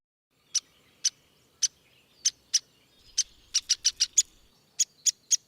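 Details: Downy Woodpecker, a bird very common in backyards and parks: thirteen sharp, high, short 'pik' notes, loosely spaced at first, then quickening in the middle before spreading out again, over a quiet background.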